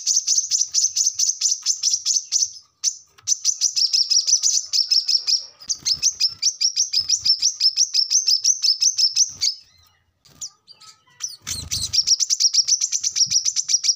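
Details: Brown-throated sunbird in energetic song, used to train captive birds: long bursts of quick, high, rattling chirps, broken by short gaps, with a brief lull near the end before the fast song resumes.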